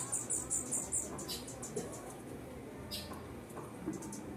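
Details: Male bee hummingbird at Palpite on the Zapata Peninsula in January 2017, giving five very high, thin squeaky notes in quick succession, then a few fainter high squeaks over a steady low background hiss.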